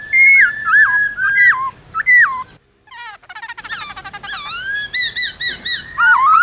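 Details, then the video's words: A Black-throated laughingthrush sings in a wild-type voice: loud, rich whistled phrases that bend and slur, a brief pause, then a fast run of varied chattering and whistled notes. "Khướu Hót giọng rừng"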